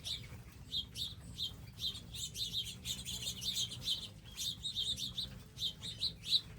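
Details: Flock of wild birds at a garden feeder area, dense overlapping high chirps and twitters almost without pause, some louder notes near the end, over a soft low background hum.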